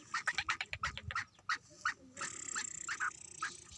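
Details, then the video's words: Young black francolin, eight months old, kala tetar, in playful mood, gives loud harsh clipped notes in quick succession, then a softer buzzing rattle with a few sharper notes at the end. "Tetar/8 Maheeny ka patha masti karty hue_काला टतार _black Patridge _black francolin"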